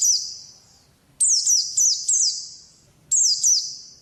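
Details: Oriental white-eye wild-type ngalas song heard as short bursts of high swooping slurred notes, each followed by a long ringing echoing tail, with silent gaps between bursts.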